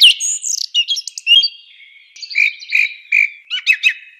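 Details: Song thrush singing bright, varied phrases: a rapid high twittering opening, then a clear short note repeated three times at even spacing, ending with quick sharp chirps, over a quiet background.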